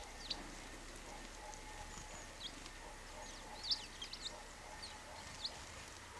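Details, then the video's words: Eurasian tree sparrows (Passer montanus) give short, high chirps at irregular intervals over a steady low hum and faint outdoor background noise. "Tree sparrows"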